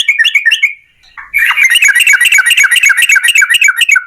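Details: Yellow-vented bulbul singing vigorously in a long rapid run, used as a lure to make other bulbuls sing: a few bubbly notes, a short pause, then a fast, steady chatter of buzzy notes about four per second.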